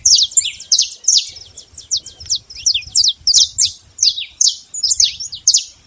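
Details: Free saffron finch in nature giving a lively, fast sequence of high, bright chirps, each sliding downward, varied in spacing, with a quiet background.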